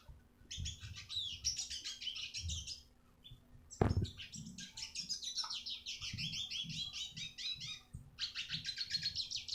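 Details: Eurasian siskin tutor song for training other birds: a long, rapid, high twittering warble of buzzy chirps and trills, broken by a short pause and one sharp click, then continuing steadily over a low background hum.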